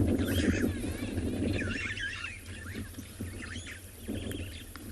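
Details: Starlings give a run of varied, slurred whistles and chattering notes, several per second, at Chitwa Dam on an African afternoon safari on 10 September 2020. A steady low rumble of wind rises as the wind picks up, and pigeons are also about.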